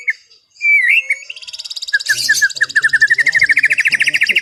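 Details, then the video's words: White-rumped shama singing in a relaxed afternoon, to calm an over-aroused bird: a clear slurred whistle, then a rapid accelerating series of rhythmic chattering notes building to a steady trill. "SUARA MURAI BATU NGEPLONG SANTAI SORE HARI UNTUK RELAKSASI BURUNG OVER BIRAHI"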